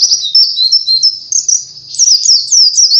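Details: Continuous high, sweet twittering from an Oriental white-eye, used as a lure to train caged birds to sing actively. Slurred whistles rise and fall, turning into faster, sharper, downward-sweeping notes near the end.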